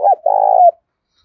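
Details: Spotted dove cooing: one short low note, then a longer, steady, mellow coo that slides slightly upward at its end, followed by silence.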